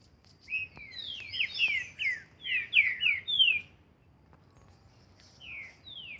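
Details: Green-winged saltator in training out in nature, singing a rich run of loud downslurred whistles clustered in quick succession, followed by a quiet gap and two more descending whistled notes near the end.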